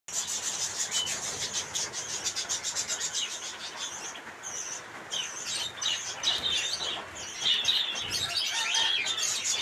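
Zebra finch chatter of rapid, nasal, high-pitched chirps and buzzy notes, tumbling over one another.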